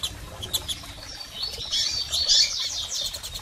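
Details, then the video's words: Calls of female and male double-collared seedeaters meant to excite a male bird; sharp high tweets scattered throughout, thickening into a dense chirping cluster in the second half, with a low background rumble. "PIADOS de Coleiros Fêmeas e Machos Para Foguear Seu Coleiro!!!"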